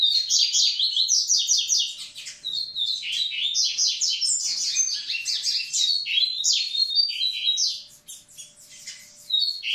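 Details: Double-collared seedeater; song; stimulating females to prepare them for breeding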